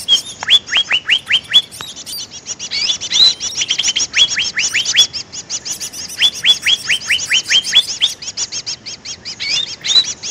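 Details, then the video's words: Lure call of a greater green leafbird: two runs of clear, steeply falling whistled notes at a quick, steady pace, separated by a busy stretch of high overlapping chirps and twitters. "suara pikat burung cucak ijo"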